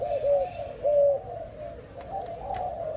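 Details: Spotted dove kept in captivity uttering two soft, low coos, followed by faint murmuring and a few light clicks in the background.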